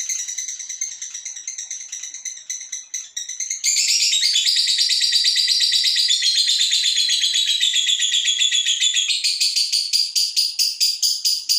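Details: Female fighter lovebird performing ngekek to provoke other birds: scattered chirps open, then a loud continuous rattling trill runs from about four seconds on, shifting to sharper, more separated pulses near the end.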